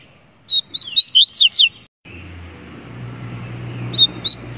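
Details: Double-collared seedeater singing a fast phrase of roughly eight bright, steeply slurred whistles, then a brief gap with hiss and two more high notes; a constant thin high tone runs underneath.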